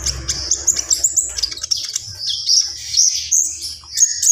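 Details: Javan pied starling (konin) singing in the lively 'gacor full isian' style: dense, high chattering and squeaky notes, with short whistled slurs and bursts of rapid trills packed together, and a faint low hum beneath.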